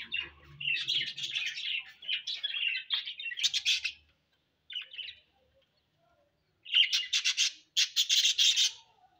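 Budgerigars chatter in a busy stream of high, scratchy warbles and chirps.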